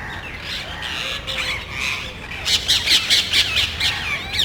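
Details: A small group of parrots in a residential neighborhood, searching for nest sites among trees and electrical and TV cable boxes; harsh, loud squawks, sparse at first, then a rapid burst of sharp repeated calls in the second half.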